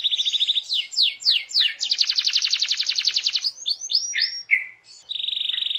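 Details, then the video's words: Canary singing gacor to prompt other canaries to join in: a fast trill, sweeping downslurred notes, a loud rapid rattle, varied whistles, and a closing buzzy trill. "Apapun Burung Kenari nya, BAKAL RESPON IKUT BUNYI dengar Suara Kenari GACOR INI"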